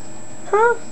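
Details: A hungry, unweaned male cockatiel chick, almost 6 weeks old and weighing 96 g, gives a single short, slightly rising squeaky begging note during hand-feeding.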